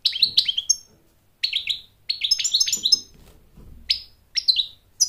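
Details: An American goldfinch, singing to court a mate and teach chicks, gives clusters of sweet high slurred notes and twitters, broken by pauses, the phrases rising and dipping in pitch.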